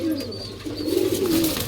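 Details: Domestic pigeons (Columba livia domestica) in an indoor home loft give low, throaty, rolling coos that swell and fade over a second or so, with faint room noise behind.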